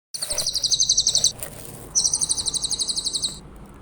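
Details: Grey-headed canary-flycatcher song on a clear-voiced training recording for other songbirds: two very high, rapid pulsed trills, each over a second long, with a short pause between and faint background noise.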